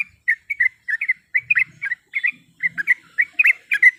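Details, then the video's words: Yellow-vented bulbul female calling a male to stir up a rival, giving a steady run of quick liquid chirps in pairs and triplets, some notes rising and others dipping, with faint low rumbles beneath. "Suara Panggilan Trucuk Gacor Mencari Lawan"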